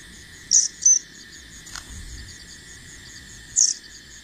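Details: Bar-winged prinia fledgling practising flight: two quick piercing high chirps in close succession, then a third after a pause of nearly three seconds, set over an unbroken buzzing cricket background.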